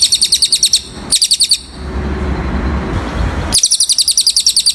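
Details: Cililin song used for training birds: quick series of thin, high-pitched repeated chirps in bursts, separated by a gap filled with low rumbling noise.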